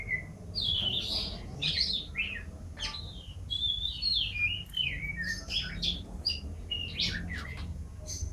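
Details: Canary song for training birds at home, heard over a low background hum: varied short whistled slurs and chirps in irregular phrases.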